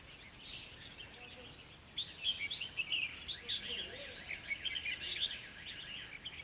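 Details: Red-whiskered bulbul at a trapping site with a decoy bird, 21 October 2016: after a quiet start, a run of quick, bright chirped and warbled notes tumbles on, high and busy, with faint background hiss.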